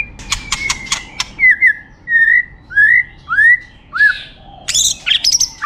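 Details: Champion competition white-rumped shama song opening with a rapid run of sharp clicks, then a string of short slurred whistles that rise and fall, ending in harsh, high, scratchy notes.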